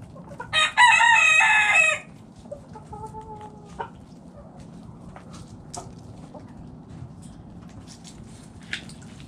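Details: Backyard rooster in a coop where chickens are eating gives a loud harsh crow of over a second, then a few soft hen clucks and quiet pecking clicks.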